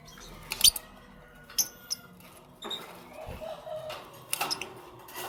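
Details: Lovebirds chirping in the morning, giving short piercing squeaks in separate bursts spaced about a second or more apart, with clicks and light rustling between them.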